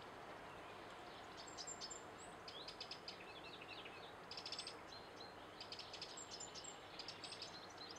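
A Eurasian wren sings rapid, high-pitched bursts of trills and ticking notes, repeated in quick phrases over a steady background hiss.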